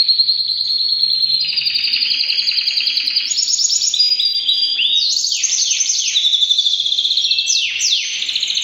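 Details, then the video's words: White three-year-old male canary singing a long, continuous song of high rolling trills, starting with a steady buzzy trill, then climbing into brighter tours and ending in quick downward-sweeping notes. "beautiful male canary singing"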